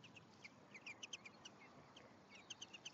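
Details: Male and female European greenfinches at their nest in May 2015, where an egg hatches: quick high twittering chirps in clusters, rising and falling, over faint background hiss.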